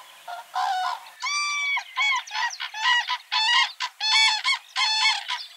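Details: Common cranes in spring, during the breeding season while pairing and dancing, give loud, ringing, trumpeting calls in rapid bursts, about nine in five seconds, harsh and rolling, with nothing else clearly heard.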